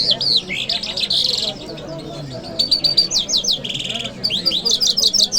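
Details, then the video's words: Lark singing in Kabul city on a Friday morning: rapid, varied high phrases of slurred whistles and buzzy trills, sweeping up and down with brief pauses, over a low background murmur. "Jal Birds Sounds | Lark Singing | جل مشهدي | طرقه | قزالاق | صدای جل مشهدي برای مست کردن"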